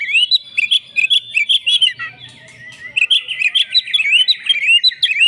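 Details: Oriental magpie-robin delivering agitated fighting song: rapid chattering whistles and chips, a brief pause, then a dense rolling stream of varied slurred notes.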